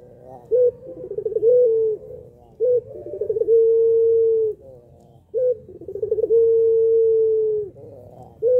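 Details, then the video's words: Puter pelung dove cooing to draw other doves into calling, three phrases each opening with a short note, then a quick stammering series of pulses building into a long, level, drawn-out coo, repeated about every three seconds. "puter pelung paling jago pancing puter yg malas bunyi"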